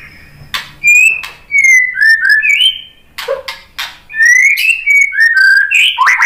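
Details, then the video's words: White-rumped shama singing to prompt other birds to answer: loud, clear whistled phrases, some sliding or rising, others flat and sustained, in quick varied bursts separated by short sharp notes. "KICAUAN MURAI BATU bikin NYAUT jadi GACOR NGEPLONG BONGKAR MATERI ISIAN ¦ PANCINGAN MURAI"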